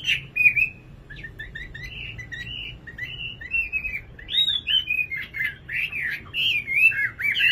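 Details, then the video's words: Nightingale singing a rambling series of short whistled notes and slurred warbles, starting softer and growing louder and more elaborate toward the end, over a low background hum. "Singing nightingale. amazing bird song"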